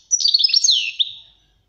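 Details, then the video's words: European goldfinch song from a training recording for teaching caged birds: one short, bright twittering phrase of tinkling high notes with a downward slur, fading out after about a second. "غناء الحسون للتعليم"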